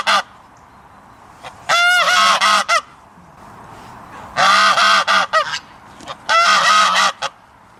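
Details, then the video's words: A goose gives three bursts of loud, nasal, harsh honks, each a rapid run of several calls, separated by quiet pauses. "Tunog ng GANSA | Sound of GOOSE"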